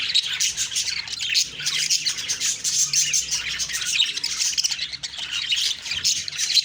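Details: Budgerigars chirping on a morning in October 2023: a dense, continuous chorus of many overlapping high twittering and squawking notes with no pauses, busy like a flock.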